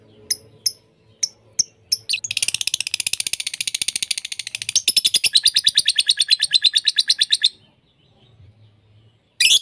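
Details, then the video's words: Lovebird in a mixed lure recording meant to give pet lovebirds variety to copy. A few spaced clicks start it, then a fast, buzzy, rapidly repeated chatter lasts about five seconds. A harsh chirp ends the section. "1 Jam Masteran Pemikat lovebird - untuk semua jenis Lovebird"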